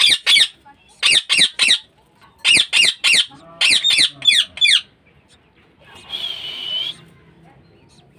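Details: Budgerigars kept in a home breeding cage give bursts of rapid, grating squawks, then a quieter stretch with a sustained whistled tone near the end.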